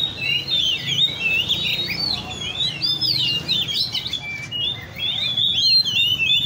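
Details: Caged Oriental magpie-robins at a park bird cafe where enthusiasts meet (Le Thi Riêng park): vigorous, overlapping whistled song with fast slurred notes and occasional long pure tones.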